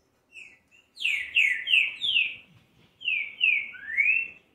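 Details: Green-winged saltator song used to fire up a bird: a soft note, then a loud phrase of rich, falling slurred whistles in quick series, a short break, and a second phrase ending in a rising whistle.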